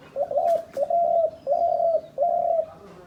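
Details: Hunters' decoy dove calling with four even, low coos in a steady series, each about half a second long, with a couple of brief clicks early on.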